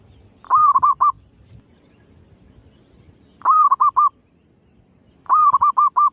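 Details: Female zebra dove calling, used as a lure to draw other birds in. Three cooing phrases about two and a half seconds apart, each a longer opening note followed by four quick, even, mid-pitched notes, over quiet low background hum.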